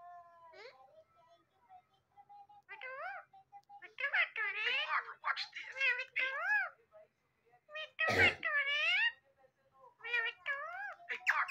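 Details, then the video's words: Pet talking parrot producing speech-like mimicry, a string of short voiced syllables with sliding, wavering pitch, broken by brief pauses and one sharp clattering burst midway. "My So Friendly Talking Parrot's Talking Clips Compilation"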